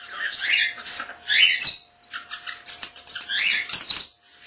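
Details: Young caged pet common starling, under a year old, talking and whistling indoors, copying words, camera beeps and other pet birds: dense run of buzzy chatter, squeaks and rasping phrases in bursts with short pauses.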